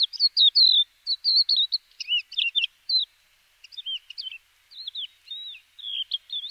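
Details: Crested lark of Córdoba in full song, jumbling quick sweet whistles, slurs and buzzy double notes in short irregular bursts separated by brief pauses, with no other sounds.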